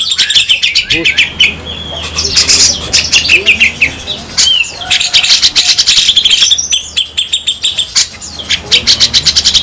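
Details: Coarse besetan song of grey-cheeked bulbuls, a local bird against a Sumatran one, for tutoring. Busy scratchy chirps and rasping trills with short slurred whistles and a steady low hum beneath.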